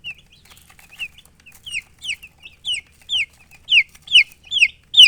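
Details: Baby chicks chirping: loud, clear high peeps sliding downward, repeated quickly about twice a second and growing louder toward the end, against near silence.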